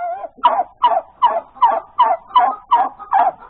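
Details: Hen calling after laying an egg, Sunday morning, January 31, 2021. A rhythmic series of eight loud, harsh clucking notes, one roughly every 0.4 seconds, each with a rough ringing tone, follows a short opening note.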